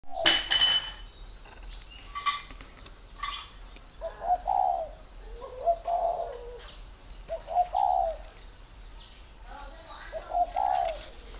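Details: Spotted dove at a dove-keeping garden in Ba Vì, Hanoi, northern Vietnam, giving soft low cooing phrases roughly every two seconds, each a short burst of hoarse coos, over a steady high-pitched electronic or insect whine.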